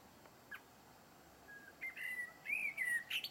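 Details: Blackbird giving a soft whistled note, then a clearer fluty warble that rises and falls, ending in high squeaky notes.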